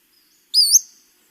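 A Western Flycatcher gives one sharp, high whistled call that slurs upward and back, about half a second long, like a whistle to hail a taxi.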